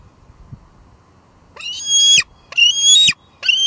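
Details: Female bald eagle at a nest on Two Harbors, filmed by live cam on a July evening, returning with leftover food present and squeeing; three loud, harsh high-pitched squealing notes, each rising then falling, about half a second apart.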